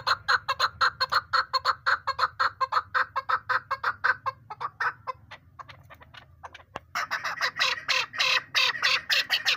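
A Chukar partridge gives a long run of harsh, clucking chuck notes, about two a second, that break into a louder, busier burst near the end.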